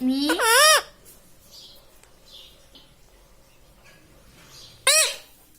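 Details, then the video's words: Pet rose-ringed parakeet indoors giving two loud, rising, harmonic squawk-like syllables in a talking attempt, the first at the start and the second near five seconds, separated by a quiet stretch with faint voices. "Talking Parrot"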